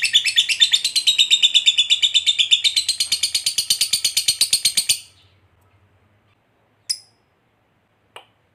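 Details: Lovebird 'ngekek' trill meant to provoke fighter lovebirds: about five seconds of rapid, shrill, pulsing chatter that stops abruptly, followed by silence and two isolated sharp high chips.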